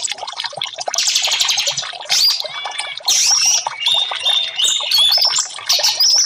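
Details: Orange-headed thrush song for birdsong therapy: a buzzy rattling burst gives way to clear sliding whistles and sharp chirps in short, separated phrases.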